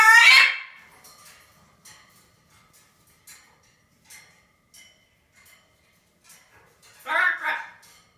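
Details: A blue-and-gold macaw talks, saying "bird crap": a loud, hoarse burst of mimicked speech, then soft clicks and small noises, then a second raspy talking phrase near the end.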